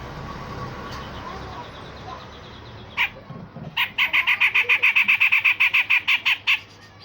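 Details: Grey-cheeked bulbul delivering coarse rasping bursts and sharp shots, a master song for training songbirds. One lone harsh note comes first, then after a short gap a fast, steady train of about fifteen gritty bursts.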